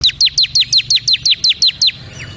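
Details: Bar-winged prinia of the crystal (kristal) type, lively singer: a rapid string of eleven sharp, high, downward-slurred chip notes, evenly spaced about five per second, then one fainter note; quiet background.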